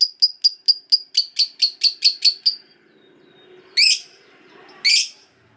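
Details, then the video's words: Caged lovebird fighter in ngekek panjang style, played to prompt silent lovebirds to sing: a steady run of about eleven sharp high chirps, evenly spaced, then two loud harsh squawks after a pause. "Pasti Lovebird Macet Bunyi Langsung Ikut Ngekek Panjang"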